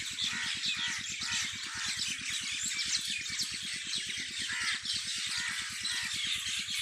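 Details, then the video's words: Many birds chirping together on a farm in the evening, a thick overlapping chorus of high twitters and squeaks, over a steady, rapid low mechanical thumping that continues throughout. "Birds singing in my farm at evning شام کے وقت پرندوں کی چہچہاٹ میرے فارم پے"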